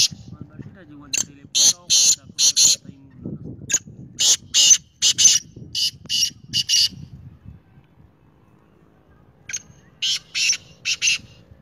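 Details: Black francolin (kala teetar) calling: loud, harsh, grating bursts delivered in tight groups of three or four rasping notes, each phrase separated by short pauses, with a long quiet gap before a final phrase and faint low background rumble.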